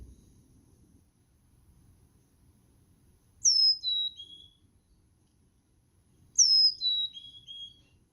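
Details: Chickadee, Carolina or black-capped from an Ohio-area region where the two hybridize, giving two high, clear whistled phrases about three seconds apart, each of four notes stepping down in pitch, in quiet surroundings.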